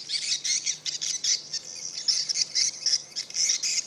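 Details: A large flock of swiftlets, perhaps thousands, responding to a played distress call chatter in a dense, high, buzzy twittering chorus, with overlapping calls in quick bursts throughout and no pause in the flock's noise.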